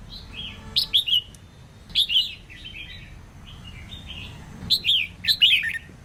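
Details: Female red-whiskered bulbul singing to get males singing: cheerful, bouncing whistled phrases in three groups, with quieter slurred notes between them and a steady low background rumble.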